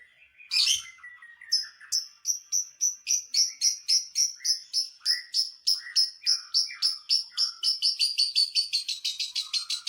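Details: Lovebird song meant to provoke rival lovebirds: after an opening screech, a long rapid train of sharp, high clicking chirps, about three per second, with low squeaks between them.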